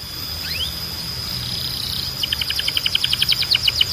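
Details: Belgian canary song used for training: after two faint rising slurs over a steady high tone, a crisp repeated chipping trill builds toward the end against light background hiss.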